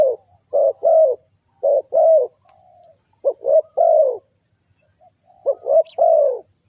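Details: Repeated low coos of a spotted dove, a call used to lure wild birds, each phrase a brief stuttered note then a drawn-out mellow coo, with a soft hum between and faint high chirps.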